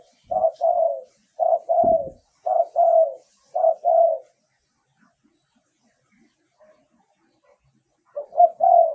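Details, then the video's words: Spotted dove decoy calling with a clear voice. Four quick coo phrases of short-then-long notes run together, then a silent gap of several seconds, and one more phrase starts at the end. "เสียงต่อนกเขาใหญ่ เสียงชัด"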